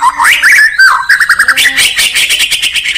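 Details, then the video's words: White-rumped shama from Indonesia singing in the morning: loud, fast run of rich whistled notes sliding up and down, then a rapid chattering trill; a low steady hum-like tone briefly underneath. "Beautiful Murai Batu Chirping"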